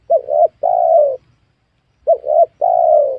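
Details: Spotted dove calling during the luring of wild doves at a young oil palm plot; two mellow coo phrases, each a short note, a second short note and a long slightly falling coo.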